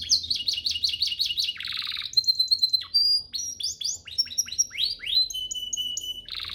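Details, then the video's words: Canary song as a master recording for teaching caged canaries: a series of quick repeated high sweeps, buzzy rattles, pure steady whistles and downward-slurred notes, ending in another buzzy trill, varied and continuous. "Masteran Mewah Spesial agar burung kenari cepat GACOR"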